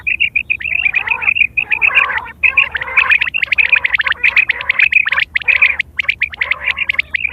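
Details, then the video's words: Quail calling in September 2023, a bird used for hunting and mating calls; rapid bursts of sharp chirping notes near one pitch, repeated in quick clusters with short gaps, loud and dense throughout. "Quail fresh sound sep 2023/ batair ki awaz"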